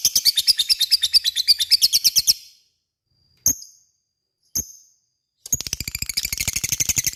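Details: Ngekek chatter from a lovebird, played to coax other lovebirds to respond: two bursts of fast, shrill, pulsing notes separated by a silent gap with two sharp isolated clicks.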